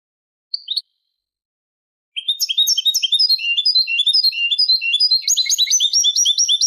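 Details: Malaga-style Eurasian goldfinch song for training goldfinch chicks and hybrids: a single brief chirp, then a long, accelerating sequence of jingling twitters and repeated rising notes over more than four seconds.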